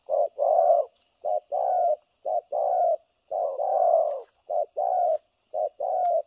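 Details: Spotted dove used as a decoy for trapping, a 'thổ cấn sấm nước' voice cooing continuously, recorded 3 December 2022: deep mellow coos in short-then-long pairs, repeated almost without pause, about one per second.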